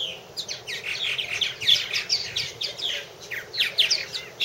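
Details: Purple martins calling at nest houses, rapid overlapping chirps and slurred gurgling notes from several birds, packed closely with barely a pause.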